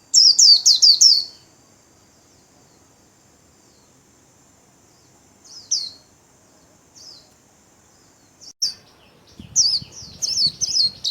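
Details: Caged white-eye's 'líu' song: an opening burst of rapid high descending chirps, scattered single notes, then a faster, denser run of chirps toward the end with some low rustling.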